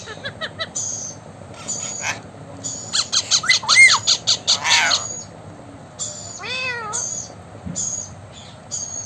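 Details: Blue Indian ringneck parakeet talking, saying "hello" and "I love you" between quick trains of clipped notes, a run of loud harsh squawks, and bending whistled arcs; a background tune plays in places.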